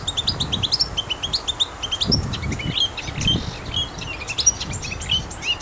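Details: A marsh warbler sings in a park in Gdańsk Przymorze, Poland: a fast, unbroken stream of varied chirps, trills and whistles, switching notes every fraction of a second, with low wind rumble underneath.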